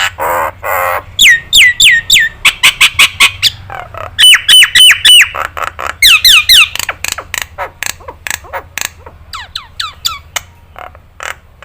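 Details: Nias hill myna recorded as a training track for other songbirds to copy. Loud, varied sequence of rapid descending whistles and harsh squawks in quick bursts, some notes repeated in runs of four or five, with a low hum behind.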